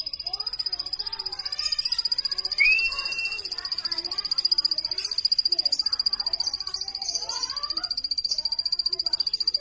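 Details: Plain prinia giving a long run of high, thin, evenly pulsed notes, about three to four a second, with a brief rising whistled note partway through and soft lower chirps beneath.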